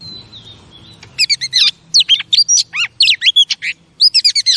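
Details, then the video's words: Singing female oriental magpie-robin, played to stimulate male pet birds: one long steady whistle, then quick runs of loud, varied whistled notes with sharp up-and-down slurs, pausing briefly before a final rapid flurry. "Chòe Than Mái Kích Trống Phê Tận Não"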